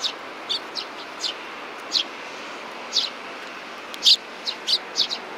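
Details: Tame baby sparrows, 28 June 2019: a steady series of about fourteen thin, high chirps, some single and some clustered in quick runs, growing denser toward the end against a quiet hiss.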